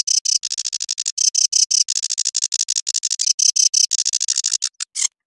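Sedge warbler song: a fast, scratchy, chattering run of harsh buzzy notes, packed closely together and held high, with no other sounds.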